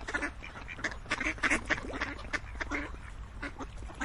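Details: Busy duck flock quacking rapidly, several loud harsh calls bunched around the middle and sharper bursts near the end, irregular pacing throughout.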